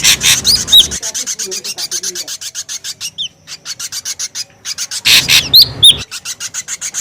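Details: Lure sound of an ashy drongo, noisy: rapid dry rasping pulses throughout, with loud harsh bursts at the start and near the end, mixed with brief thin whistled upslurs.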